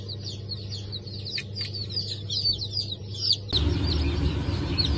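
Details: Newly hatched chicks of Brahma and Wyandotte breeds, 4 August 2024 hatch, chirping in quick high peeps over a low hum, then a sudden burst of louder rumbling noise partly covers them.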